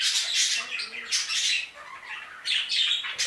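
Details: Caged budgerigars in an aviary squawking in bursts of rasping, buzzy chatter, with a brief quieter lull midway before the noisy calling returns.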